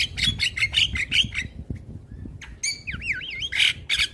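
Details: Black-winged starling, white-eyed type, heard in the morning as a tutor recording: rough chattering bursts, then a wavering, warbled whistle rising and falling several times, followed by more harsh notes.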